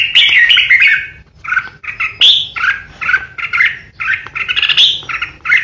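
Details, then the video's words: Red-whiskered bulbul kept as a contest decoy bird, pouring out rapid 'ché' song: dense chattering whistles and scratchy notes almost without pause, several sharp rising squeaks, over a steady low hum. "Chào mào mồi hót ché đỉnh | Red-whiskered Bulbul | นกปรอดหัวโขน"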